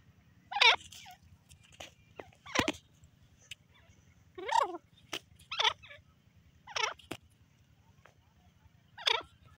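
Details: Harsh rasping calls of a female francolin come at irregular intervals of one to two seconds, with a few sharp clicks and a steady low hum.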